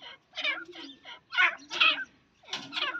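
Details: Grey francolin, a female, giving harsh, grating, nasal calls in quick bursts, about five notes over three seconds, with short pauses between phrases.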